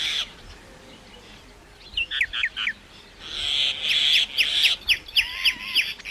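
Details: Myna vocalising: a few short whistled slurs, a long harsh hissing screech, then a quick series of sharp chips and a low wavering whistle at the end.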